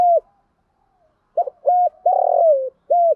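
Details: Spotted dove used as a decoy to lure wild birds: a falling coo ends, a short pause, then a full phrase of a short note, a level coo, a long rolled descending coo and a final steady coo.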